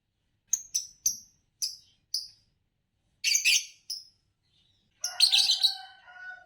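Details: Green Fischer's lovebird, a song-competition champion from Indonesia, gives a run of five quick, thin chirps, then harsher bursts and a longer rasping, chattering phrase with tonal undertones.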